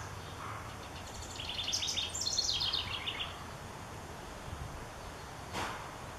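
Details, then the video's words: House wren singing one bubbly, rapid burst of jumbled trills and chattering notes lasting about two seconds, high-pitched and descending at the end, then quiet with a faint low noise and a brief click. "House Wren sings"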